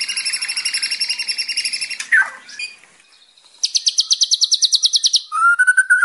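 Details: White-rumped shama song used as tutor recording for training young captive birds: a varied run of high, rapid rattling trills and fast repeated notes, ending in a clear lower whistled phrase; nothing else is heard.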